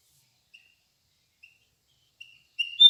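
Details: Bird giving sparse, thin whistled notes, the first three brief and evenly spaced about a second apart, then a louder, longer whistle with an upward flourish at the end, over an otherwise silent background.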